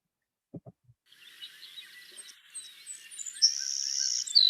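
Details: Savannah sparrow of lush Montana grassland, with a grasshopper-like song: faint high introductory notes over a steady hiss, then a thin, drawn-out, high insect-like buzz near the end.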